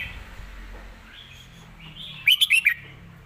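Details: Red-whiskered bulbul singing a clear, emphatic model song: after quiet soft notes, a tight burst of four loud, rolling whistled notes.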